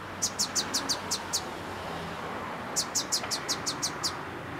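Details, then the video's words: A small bird sings from a branch, giving two runs of high, rapid, down-slurred chirps, six then about eight notes, with a gap of over a second between them; constant hiss and faint low hum underneath. "Small bird dances and sings on branch"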